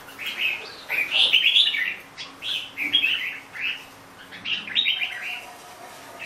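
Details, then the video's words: Bright, warbling red-whiskered bulbul phrases, short clusters of whistled notes bending upward and down, given in about four separated bursts with quiet gaps. "Chào mào bông"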